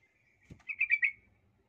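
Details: Sooty-headed bulbul song used as a lure to make other males angry: a short bubbly warbled phrase of a few quick notes after a faint thin whistle.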